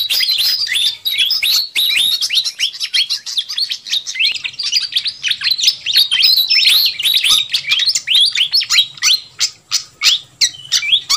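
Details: Pied fantail (sikatan kipas) in a lively lure sound for catching the attention of wild birds. A continuous rapid spray of high chirps and whistled flicks lasts about eleven seconds, loosening into clearer separate notes near the end.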